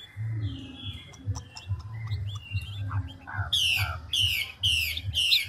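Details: A large wild-caught adult Chinese hwamei (Garrulax canorus) sings continuously changing phrases, moving from varied clear whistles into loud, rapid high phrases repeated about twice a second, over a low hum.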